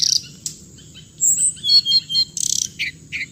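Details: Hồng hạnh bird calling: a few sharp high chips, then a quick series of short whistled notes repeated rapidly, ending in buzzy chirps, with a thin steady high tone behind.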